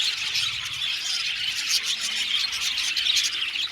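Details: Aviary budgies squawking and chirping in a crowded chorus of short, harsh, high notes and rapid twitters.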